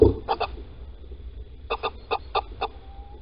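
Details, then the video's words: Little owl pair at Holten, 16 March 2020 at 10:25: the male calls while the female digs a nest scrape. Two quick clucking notes, a pause, then a run of five short, evenly spaced barking notes, with a faint thin rising whistle at the end. "Steenuil Holten | 16 maart nestkuiltje graven"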